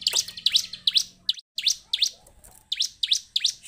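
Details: Lively ciblek, or bar-winged prinia, song used as a lure so caged birds start singing: loud, sharp, upward-flicking high notes in quick groups of two or three, with a brief gap in the middle.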